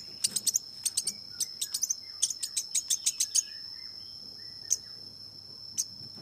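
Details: Long-tailed shrike giving quick, dry, ticking chirps in clustered runs for about three seconds, then falling quiet apart from two isolated notes, with a faint low warble and a steady high tone in the background.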